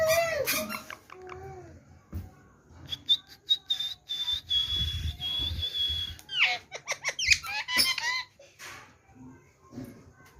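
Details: Rose-ringed parakeet talking with a sweet voice, phrase "Miya Mitho": scattered squeaky chatter, a sustained level whistle held about three seconds, then rapid nasal squawking syllables, with soft room noise between.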